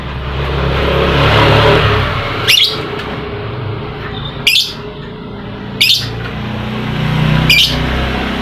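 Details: Lovebird chirping as a lure meant to rouse other lovebirds that will not sing: four short, piercing chirps spaced about a second and a half apart against a constant rushing background noise.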